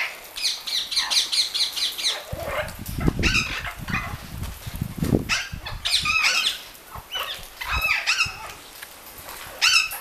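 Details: Captive Orange-winged amazons bathing at a bird garden by Lake Balaton. Harsh, harmonic squawks, with a burst of fast chattering notes at the start. Loud low splashing and wing-flapping noise runs through the middle.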